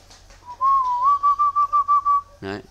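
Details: Tamed wild-caught bird from Ba Vì mountain, known locally as khiếu đất or mi đất, sings a steady series of about seven clear, even whistled notes at one pitch, followed by a brief human voice.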